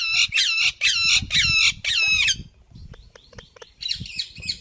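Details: Indian ringneck parakeet making noise: four loud, harsh, drawn-out screeches roughly every half second, followed by softer clicks and chattering notes with low background rumble.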